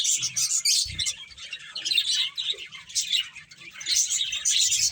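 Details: Several finches chirp as they play, uneven bursts of high, scratchy tweets rising and falling with a few soft thumps below.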